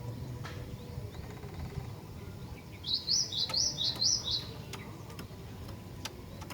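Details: Female cinereous tit calling to draw males into song: a short run of about eight sharp, high chirps in quick succession midway through, over low background rumble and scattered clicks.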